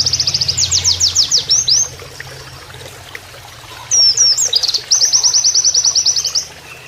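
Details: Canary-like 'nembak kenarian' song of an Oriental white-eye, used as training master, over running water: a rapid high rattling trill, a pause, brief twisting whistles, then another long run of fast identical notes.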